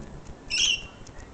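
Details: Lorikeet on a balcony in Sydney giving one short, harsh, high screech lasting about a third of a second, over quiet background hum.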